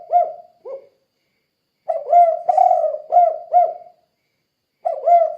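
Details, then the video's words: Spotted dove 'kuk 2' call used as a lure to set off other doves: short coos, then a dense run of five hollow accented notes, a pause, and a fresh phrase starting. No other sounds. "Suara Burung Tekukur Gacor Kuk 2 Untuk Pancingan Derkuku"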